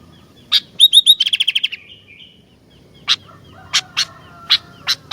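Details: Sooty-headed bulbul singing actively: a single sharp note, then a quick run of bright harmonic chirps and a fast rattling series, followed after a pause by several separate sharp, clicky notes.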